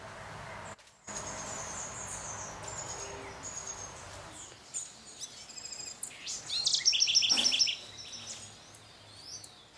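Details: Very high, thin tsit notes from a Yellow-faced Tanager (subspecies lunigera) at Sachatamia Lodge, Ecuador, in May 2012, scattered at first, then a quick run of five or six near the end, over faint background hiss.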